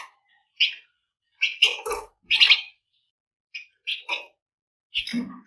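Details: Flamboyan bird's lively, rapid song used to stir other birds into singing: scratchy chirps in quick clusters with short gaps, some notes dropping lower.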